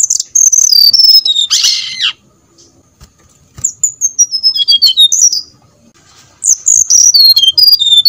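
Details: Brown-chested jungle flycatcher lure song to stimulate singing: a falling run of bright whistles, a short harsh rasp, a pause, then two more cascades of high notes stepping down the scale.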